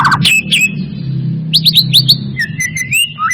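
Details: White-rumped shama singing as a lure to trigger song: sharp chirps, quick upswept whistles in a rapid burst, then rising whistled notes, over a low background hum.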